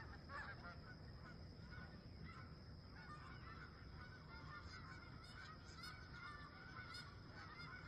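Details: Wild geese calling at sunrise by a campsite, a constant chatter of honks from a flock heard at some distance over a heavy low background rumble, with a few louder calls standing out.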